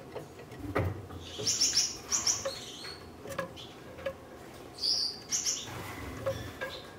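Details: A captive red-headed Gouldian finch pair courting after being paired for breeding: two groups of high, squeaky double and triple chirps with quiet spells, soft clicks and low thumps in between.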